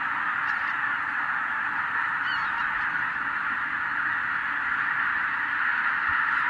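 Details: Enormous flock of wild geese, tens of thousands of birds, disturbed by a white-tailed eagle in 2023. Steady blended honking, with a few brief sharper calls rising above the roar.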